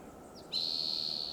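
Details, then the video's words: Red-tailed hawk on a high perch in California's Del Monte Forest, having eaten a large fox squirrel: a sudden shrill, level scream that is still sounding as the recording cuts off. "Screeching Sound of Red-tailed hawk"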